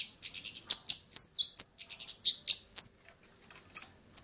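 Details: Rapid high-pitched chattering song of a Long-tailed shrike in Bobotsari, about fifteen short piercing notes with a few slurred whistles, a brief pause, then two more thin whistles.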